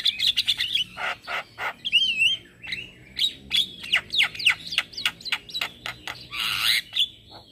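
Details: Morning song of a male Javan myna, used to lure and tutor starlings: quick chattering clicks mixed with sharp slurred whistles, then a harsh buzzy rasp near the end.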